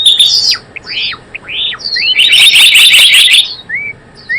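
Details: Java sparrow calls for luring birds into traps: arched whistled notes that rise and fall, a dense burst of loud high chirps, then quieter rising whistles at the end.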